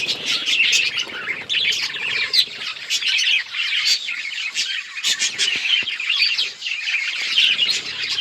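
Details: Budgies heard on October 26, 2023, giving constant high chatter. Rapid chirps, squeaks and scratchy notes from many birds blend into a busy, rolling background of sound.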